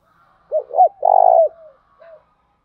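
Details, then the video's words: Spotted dove giving its low hollow coo phrase: two short rising notes, a long trembling middle coo that trails off, then a faint closing note, quiet background. "nghe cu gáy gáy mỗi ngày"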